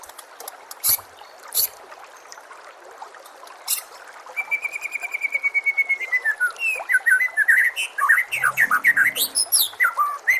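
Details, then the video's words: White-rumped shama singing on a tutor recording for caged birds: a few isolated sharp notes, then a long accelerating series of clear whistles that drops at the end, followed by a rich, rapid run of varied whistled and chirped phrases. "KOMBINASI MASTERAN MURAI BATU PALING LENGKAP DAN PALING JERNIH AUDIONYA"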